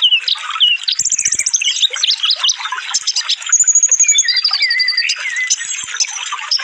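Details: Sunbird song in a dense, fast training track for cage birds: high rapid twittering with sharp whistled slurs, a buzzy high trill near the first second, and overlapping chattering phrases throughout.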